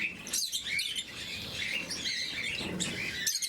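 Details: Morning feeding of blue-mutation lovebirds: dense, shrill twittering from several birds, short rising squeaks repeated rapidly with brief pauses.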